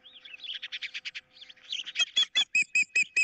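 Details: Osprey, 15 April 2023, squabbling over a fish with an intruder somewhere near: softer rapid chattering notes building into louder, ringing whistled cries repeated evenly about every fifth of a second.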